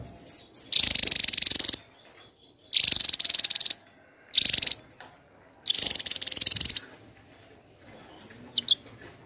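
A Javan tesia gives four bursts of very high, rapid, tumbling twitters, each about a second long, separated by short pauses. A faint chirp follows near the end.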